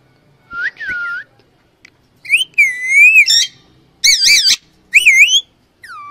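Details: A female Alexandrine parakeet gives loud, harsh whistled calls, each rising then wavering, in several bursts about a second apart with short pauses between.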